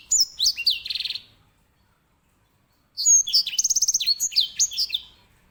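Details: Serinus leucopygius, the grey singing finch used as a song tutor for canaries, delivering two lively phrases of high whistles, downward slurs and fast buzzy trills, separated by about a second and a half of silence.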